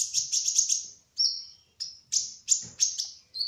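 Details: Kolibri ninja sunbird of the trotol kind in rolling song: a fast burst of five high ticking notes, then a longer thin whistle and a string of sharp, bright chirps.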